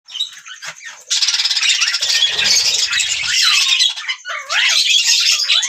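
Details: Budgerigars chirping: a dense wash of high chattering and squeaky notes, with several rising and falling warbled whistles toward the end, and brief low rumbling underneath.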